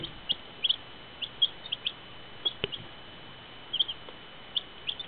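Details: Baby chicks; brief high-pitched peeps, some doubled, spaced irregularly about one to three per second, over a constant faint hiss with a single sharp click.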